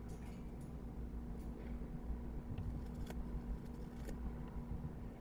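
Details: Steady low road-traffic rumble with a few faint clicks and rattles; no animal calls are heard.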